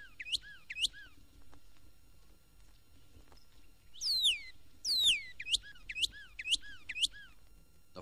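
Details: A Northern Cardinal in Florida (1969 record) gives clear, steeply down-slurred whistles, two at first, then a quick run of about six repeated every half second, over faint background hiss.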